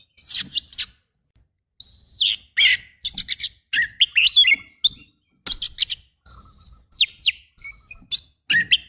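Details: Oriental magpie-robin rough fill-in training song: scattered bursts of sharp chips and slurred notes, mixed with several long rising whistles and quick downward sweeps over nine seconds, on a quiet background.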